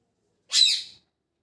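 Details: Single harsh, high, slightly falling chirp from a parrot in the morning, short and isolated in silence.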